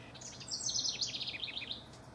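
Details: Rival house wrens recorded between June 12 and 24, 2015; one bubbly, tumbling burst of high chattering notes that rolls downward in quick, jumbled trills, lasting under two seconds.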